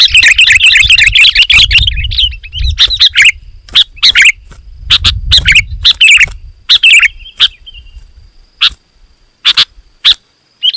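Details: Sooty-headed bulbul singing loudly and steadily to provoke rivals: an opening run of tumbling, warbled chirps over low rumble, then spaced sharp chirps growing sparser toward the end.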